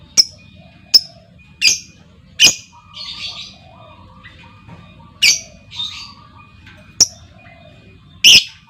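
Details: Female lovebird calling to provoke other lovebirds to trill: sharp, shrill, high chirps in quick irregular succession, broken by a soft rasping chatter and quieter mid-pitched notes, over a faint steady tone.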